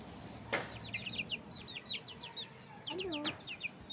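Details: Chicks of the Bangkok chicken breed in morning sun, peeping rapidly with high downward-sliding notes, a short thump and a brief human voice partway through.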